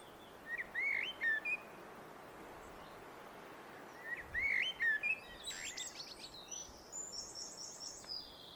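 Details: Common blackbird singing at some distance: two similar short whistled phrases about four seconds apart, each with a brief high ending, then softer high chattering notes.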